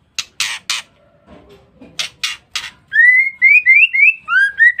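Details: Female white-rumped shama calling as a lure to provoke males. Three harsh, rasping bursts and soft low chatter come first, then a quick run of clear whistled notes, each sliding upward, repeated in a bouncing sequence.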